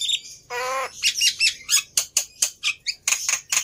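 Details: Black-winged myna in full song, meant to prompt other birds to sing. A nasal, buzzing drawn-out note opens, followed by a series of sharp, high, clicking chips at an uneven pace.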